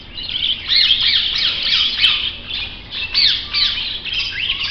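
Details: Grey parrot giving a continuous run of shrill squawks and rising and falling whistled notes, loud and overlapping throughout, with a few sharp clicks.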